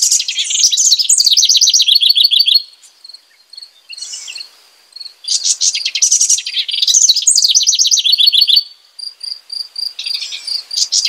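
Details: A house wren sings its rich, bubbly song in repeated bursts, each a rapid cascade of high chattering notes falling in pitch over about two and a half seconds, with quieter pulsing high notes in the gaps.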